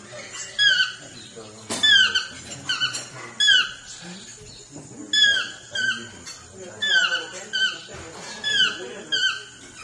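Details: Swainson's toucan, the chestnut-mandibled subspecies of the yellow-throated toucan, giving loud, downslurred yelps in rhythmic bursts roughly every second, each note ringing and harmonic, with softer lower sounds between the bursts.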